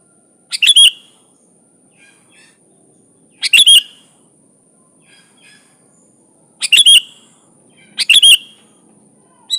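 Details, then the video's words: Sooty-headed bulbul (kutilang) in vigorous full-fill song: four short bursts of bubbly, fluty chirped notes spaced a few seconds apart, the last two close together, over a quiet background. "Suara Burung Kutilang Gacor full isian alam"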